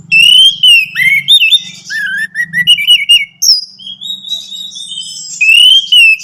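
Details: Loud, clear orange-headed thrush song played to encourage a caged bird to sing: fluid wavering whistles, quick rising slurs and short twittering bursts, with a faint hum between phrases.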